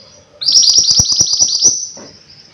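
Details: Mountain white-eye in full voice, singing a fast, tightly packed series of piercing high slurred notes for about a second and a half before trailing off.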